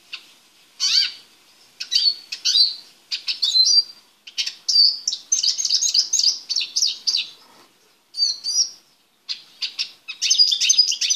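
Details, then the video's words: Captive male Eurasian siskin in a small preparation cage, three weeks before joining his female, delivers a long, lively high-pitched twitter: rapid chirps and trills run together in dense phrases with brief pauses. "Carduelis Spinus Song"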